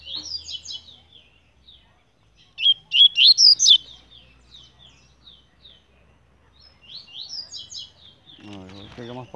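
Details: Double-collared seedeater, captive, fibra type, with soft chattering twitters, then a fast bright run of rising whistled notes, more twittering, and a man speaking Portuguese at the end.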